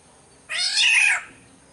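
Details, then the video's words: A black-naped oriole from Sumbawa delivers a loud, grating, nasal mewing squawk of about three-quarters of a second, rich and rasping throughout, against a quiet background. "suara burung kepodang SUMBAWA"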